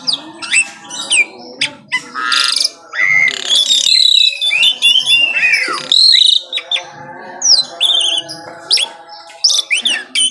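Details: Morning song of an Asian pied starling: a jumble of chattering squawks, buzzy bursts and looping whistled phrases, delivered in quick spurts separated by brief gaps.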